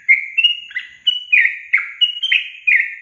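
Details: Bulbul lure for caged young birds that rarely sing: yellow-vented bulbul giving fast, liquid whistled notes in close succession, some rising and some dropping, without pause.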